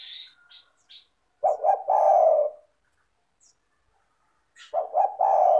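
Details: Lure recording of a persistently calling spotted dove for lazy doves. Some thin high chirps come first, then a low phrase of short notes into a long rough coo. A second phrase begins at the end.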